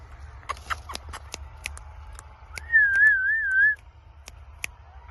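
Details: Pet parrot giving a clear warbling whistle that wavers up and down for about a second, amid sharp clicks and short chirps scattered throughout, over a low steady hum.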